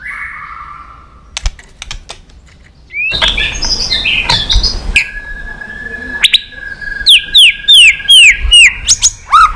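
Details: White-rumped shama singing in many voices, played to stimulate and train other shamas: scattered sharp clicks and a noisy burst, then a run of quick downward-sweeping whistles with clicks, repeated about every half second.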